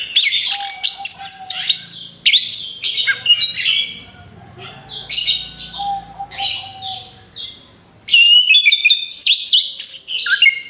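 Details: Rapid, lure-style song of an orange-headed thrush: bursts of high chattering and twittering notes broken by a quieter gap in the middle, with a thin drawn-out whistle and low murmuring noise beneath.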